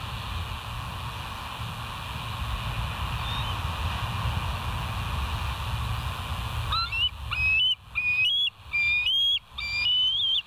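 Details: Bald eagles on a live nest cam at West End, 08/06/2023, 05:24. After several seconds of steady background hiss, a rapid series of short, rising whistled notes breaks out, chittering in quick bursts.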